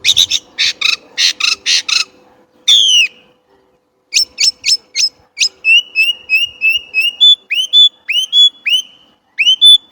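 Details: Chinese blackbird opening with harsh rattling bursts, then a falling whistle, quick high pips and rows of short upturned whistles given about three per second.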